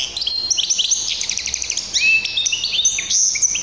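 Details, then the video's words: Hybrid canary in full song, recorded in 2023: a dense, rapid stream of high whistled notes, trills and quick rising and falling slurs, almost continuous, with no other clear sounds. "تغريد هجين التفاحي"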